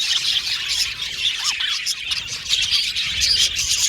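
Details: An Australian budgie colony in an aviary twitters continuously; a couple of short curved whistle-like notes stand out midway over the thick, high, chirping background.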